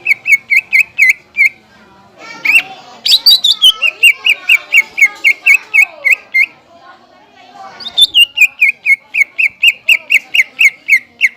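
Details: Song of the greater green leafbird, used to provoke and tutor other leafbirds. Bursts of quick, evenly spaced ringing chirps are broken by a tangled warbled passage with sliding notes, then the steady chirping resumes.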